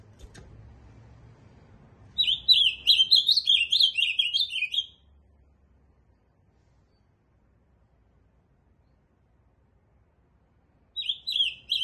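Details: Ultramarine grosbeak singing a lively warbled phrase of about three seconds of tumbling, slurred notes. A long quiet gap follows, then the next phrase begins just as the recording ends.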